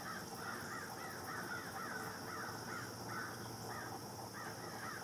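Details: White-eyed Vireo at Lake Conestee Nature Park, Greenville, South Carolina, USA, on October 14, 2017, giving a run of harsh, nasal, arched notes, several per second, over a steady high insect drone.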